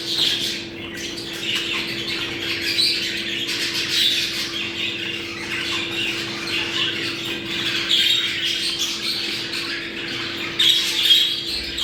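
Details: Budgerigars in a mating-call recording meant to bring birds into breeding condition: dense, continuous high warbling and chattering from several birds, with scratchy squawks and brief chirps throughout, over a steady low electrical hum.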